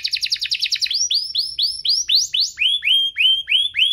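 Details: Canary song from a duo compilation used to lure canaries into singing and as tutor song for young canaries: a fast buzzy opening, then a series of rising whistled sweeps about four per second, ending in lower, drawn-out arched notes.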